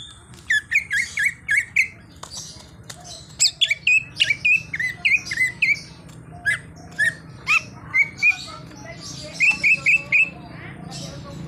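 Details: Greater green leafbird singing its full isian repertoire, with a car horn imitated among the borrowed sounds; a long, varied stream of rapid whistles, chirps and squeaky notes in quick bursts, with a constant low background hum.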